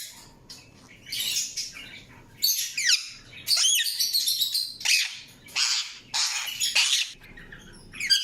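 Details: Indian ringneck parakeet chirping: bursts of harsh, broadband squawks and rasping chirps in uneven runs, some with sweeping falling notes, separated by short quiet gaps over a faint low background hum.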